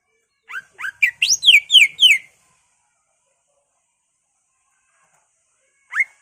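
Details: Greater green leafbird song used to excite rival leafbirds: a quick burst of seven or eight bright upslurred and downslurred whistles, then a long silence and one lone rising whistle.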